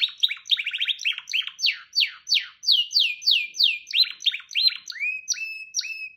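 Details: Canary singing a rapid trilled passage of steep downward sweeps, shifting into slower looping whistles and ending on short rising-then-flat notes; bright, high, uninterrupted.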